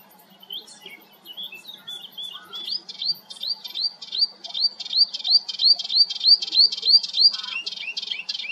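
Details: Melodious warbler in song at Hegenheim, France, June 2023: soft scattered chirps build into a rapid, regular series of bright, rising slurred notes repeated about three times a second, ending in lower chattery notes.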